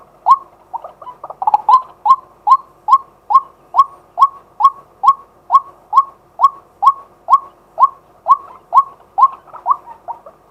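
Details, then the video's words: Live daytime recording of a male White-breasted waterhen: a short tangle of quick notes, then a long, steady train of about twenty hollow, upslurred calls repeated just over twice a second. "เสียงนกกวัก ตัวผู้ ต่อกลางวัน"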